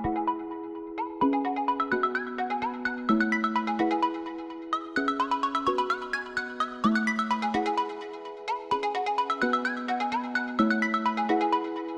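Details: A bright electronic melody of sustained chords and plucked notes plays throughout, like a ringtone, with no animal voice.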